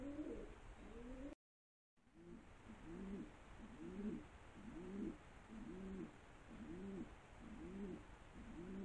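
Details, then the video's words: Pigeons cooing, a low rounded coo repeated roughly once a second in a steady series, each note slightly rising then falling, over a constant background hiss; a brief gap interrupts the sequence early on. "Περιστέρια / Pigeons"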